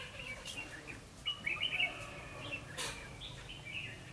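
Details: Red-whiskered bulbul recorded during bird trapping with a decoy bird on 9 December 2015; short, clear whistled notes in brief warbling bursts, with a few soft clicks and a light hiss behind.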